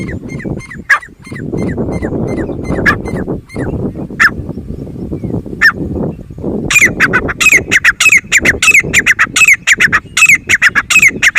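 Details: Grey francolin (Francolinus pondicerianus) gives loud, harsh, ringing notes, repeated more than once a second and building into a dense, excited series, over a steady low rumble of wind.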